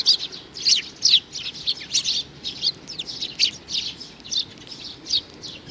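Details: Separate, high-pitched chirps from a young sparrow in June 2019, each note short and bright, spaced about every half second.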